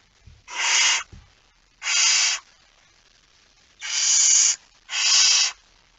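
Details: Barn owl holding a mouse, Friesland, Netherlands, September 2019: four rasping, hissing screeches, each under a second long, separated by pauses of about a second, with a few faint low knocks at the start.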